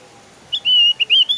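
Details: Javan grey-throated white-eye singing, a recording meant to coax kept birds into song: a short burst of high, sweet whistles, one longer level note followed by quick rising chips.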